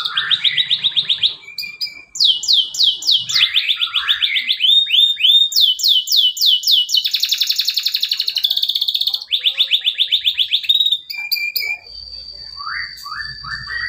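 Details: Male canary in full lure song for birds that won't sing: varied tours of quick trills, bright swooping notes and dry rattles, with a sustained high whistle and soft chirps near the end.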